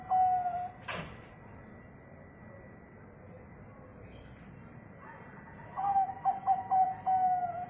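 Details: Zebra dove of local stock, used to prompt other birds to sing: the tail of one coo, a sharp click, several quiet seconds, then a full phrase of quick staccato notes and a long coo.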